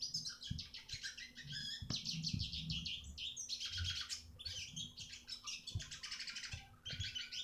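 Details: Eurasian siskin song for teaching other birds, a long dense stream of high chirps, wheezy buzzes and fast trills running almost without pause, with faint clicks and a low hum underneath.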